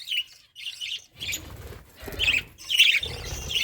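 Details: Feeding budgerigars giving short bursts of bright chirps, roughly two per second, separated by quiet gaps, with soft rustling and low thuds between calls.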